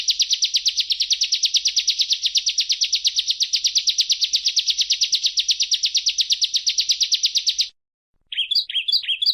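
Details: Bar-winged prinia (ciblek, perenjak jawa) singing for a songbird-keepers' training recording: a long, fast, buzzy rattle holds steady for nearly eight seconds, a short silence follows, then several sharp high chirps. Quiet background.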